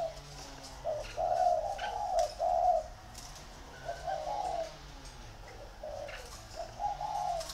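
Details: Two captive spotted dove decoy birds competing in Ba Vì, Vietnam; soft hoarse coos in phrases of several notes, with pauses between bursts, faint background clicks.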